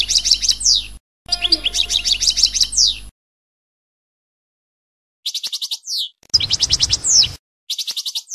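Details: European goldfinch performing passades: bursts of fast rattling trills, each closing with a downward-swooping whistle, separated by pauses, with faint background hiss during some phrases.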